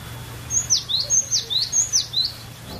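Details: Cinereous tit song used to prompt other songbirds to sing: bright high notes dropping steeply into lower upslurred whistles, delivered in rapid paired phrases over a faint steady background hum.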